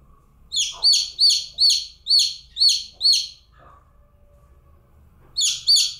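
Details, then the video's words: A single baby chick chirping: loud, high, downward-sliding peeps. Seven come in a fast, even run, then a pause, then two more at the end. The background is quiet apart from faint low room noise. "Cute Baby Chick Calling Sounds"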